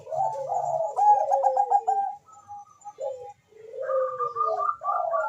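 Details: Zebra dove of the Bangkok type, its song played to boost mating drive and singing: low, mellow, rapidly pulsed notes sliding down into drawn-out falling coos, then a higher phrase near the end.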